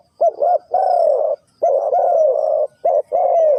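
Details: Close spotted dove from Ninh Thuận giving loud, hoarse coos, the three-coo hanging style: a short note, then long drawn-out notes falling slightly at their ends, twice in a few seconds. Faint thin chirps from other birds behind.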